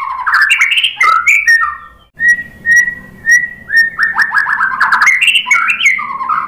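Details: White-rumped shama singing: rich warbled phrases, a pause, then a series of short even whistled notes at a steady pitch, followed by fast rolling, slurred whistles and chatter.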